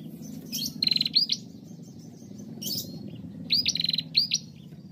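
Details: Bar-winged prinia, female, singing as a lure to get other prinias singing: two phrases of high metallic buzzy trills with rising whistled notes, separated by about two seconds, over a noticeable low background rumble.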